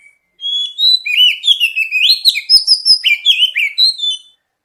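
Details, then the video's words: Lure song of an oriental magpie-robin (kacer) meant to trigger quick singing in untrained birds: after a short note, a steady rush of rapid, bright, looping whistled notes for about four seconds, with faint clicks behind. "Pancingan kacer bahan dan terapi bunyi | cepat bunyi respon"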